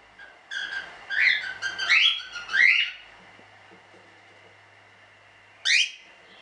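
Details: Standard cockatiels from a small hobby breeding, show birds; a cluster of chirps and rising whistles, then quiet, then one more loud rising whistle.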